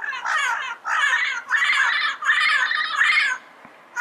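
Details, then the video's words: Run of five drawn-out, rasping squawks from a wild yellow-headed parrot, nearly back to back, each rough and nasal, then a brief silence before another call begins. "Yellow-Headed Parrot Sounds - Natural Bird Calls and Songs in the Wild"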